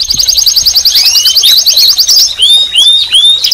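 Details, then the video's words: Canary singing and calling: a loud, high, fast rattling trill that gives way to sweeping, rising whistled notes, and a faint low hum underneath. "Canary Singing And Calling - Chant et appel des Canaries - غناء الكناري وندائه"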